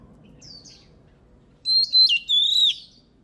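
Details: Oriental magpie-robin singing, trained to sing for competition: after a faint high note, loud clear whistled phrases with a long sliding whistle, a short burst of about a second and a half.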